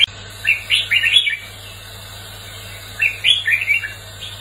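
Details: Red-whiskered bulbul in competitive song: two bursts of bubbly, warbled whistles, each about a second long, separated by a quiet pause of over a second, with a low background hum.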